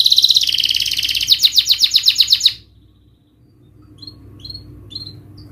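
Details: Canary singing a dense rapid rolling trill of high notes for about two and a half seconds, then near silence broken by a few soft short chirps; meant to coax a reluctant canary into song.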